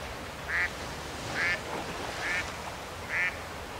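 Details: Four clipped, nasal quacks from a Mallard, evenly spaced about one second apart, recorded at Roshchino in Leningrad Oblast, Russia, on 23 September 2020, with a steady low rumble behind.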